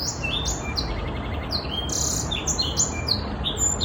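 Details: Young Black-throated Canary, six months old, sings a fast continuous warble of high sweeping whistles, short descending slurs and rapid trills, with a steady low background hiss.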